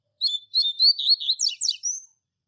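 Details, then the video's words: Double-collared seedeater tutor bird singing the classic Tui Tui Zel Zel phrase for teaching young birds: a quick string of high whistled notes, ending in steep descending slurs and a rising whistle, clean quiet background. "Tui Tui Zel Zel Clássico Professor Coleiro Mestre No Treinamento e Top Para Encarte!!!"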